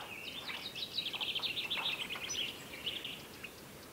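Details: Pre-dawn chorus of several loud, raucous common bulbuls (Pycnonotus barbatus) in a Sous Valley garden, Morocco, in March 2016: a dense run of bright, chattering, fluty notes, roughly two per second, overlapping without pause over faint background hiss.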